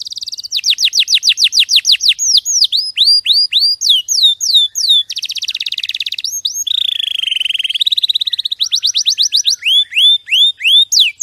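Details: Champion canary song used as a training recording, a long clear rolling song of rapid repeated trills, downslurred notes and upswept whistled phrases, switching between tours every second or two, with a buzzy section near the middle.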